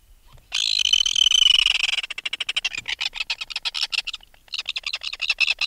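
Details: An adult red-billed tropicbird removed from its nest gives close-up alarm calls: a shrill, harsh scream, then a fast, grating rattle of many clicks each second, pausing briefly before rattling again.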